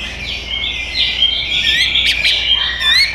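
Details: Caged white-rumped shama from Bintaro, Indonesia, delivering high, sustained whistled notes with quick warbles and two brief sharp clicks, steady and loud throughout.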